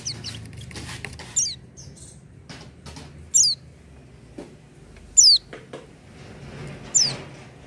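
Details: Oriental white-eye starting to sing without stimulants: thin, very high, sharply falling whistled notes, four of them spaced roughly two seconds apart, with soft rustling and low background hum between.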